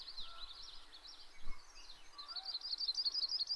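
A Yellow-rumped Warbler sings a loose, high trill of quick, even notes that grows stronger toward the end, over faint background chirps and low rumble.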